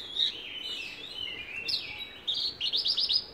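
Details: Branjangan, the Javan bush lark, sings a sweet sliding warble that breaks into a rapid trill of about six bright, evenly spaced notes near the end.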